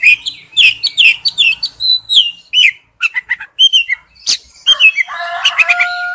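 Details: A male oriental magpie-robin sings to attract a female, pouring out fast warbled whistles and chirps, a long level whistle, then a jumble of rapid overlapping notes at the close.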